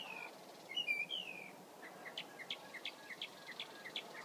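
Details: Somewhat distant mockingbird: a few buzzy slurred notes, then a run of short, soft, paired chirps repeated evenly against a light hiss of background noise.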